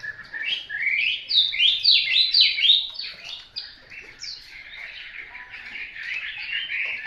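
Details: Hwamei song of repeated rising whistled slurs in quick succession, each swooping upward, followed by softer rambling warbles and trills.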